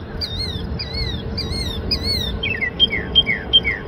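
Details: A Northern Mockingbird singing non-stop and mimicking many sounds (over 30 calls in two minutes) imitates a kestrel: four high, wavering whistled phrases about half a second apart, then quicker sharp falling notes, over a low steady hum.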